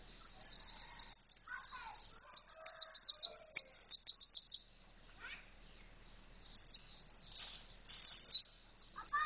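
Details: Indonesian white-eye (pleci) singing in a canary-like style with an open beak: rapid, high twittering runs of sharp descending notes, a pause of softer scattered chirps, then renewed bursts of bright warbled phrases.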